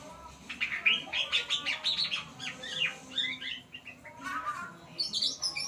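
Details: A white-rumped shama practises song: a rapid chattering run of high whistled notes and chirps, then softer falling phrases and a final high burst, with faint low background hum.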